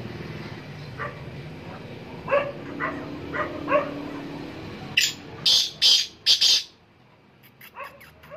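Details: Black francolins, three birds calling from a high perch, give loud, harsh, grating notes in a quick burst of five after softer scattered notes, over a low background hum.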